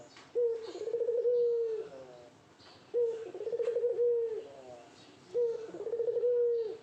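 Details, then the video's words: Male-style display cooing of a Barbary dove courting a female: three low, trilled phrases about every two and a half seconds, each opening with a short accented note before a long purring hum. "Burung Puter Gacor merayu betina"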